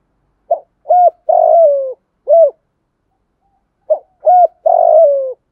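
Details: Spotted dove (Spilopelia chinensis) cooing and calling: two low, soft coo phrases about three seconds apart, each of short notes leading into a long, drawn-out falling croo; nothing else heard.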